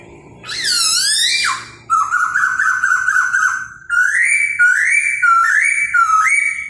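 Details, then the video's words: A dancing laughingthrush sings a powerful wavering whistle, then a quick chain of rolling notes and several loud rising whistled phrases repeated about once a second. "CHIM KHỨU CĂNG LỬA II HÓT - MÚA HAY"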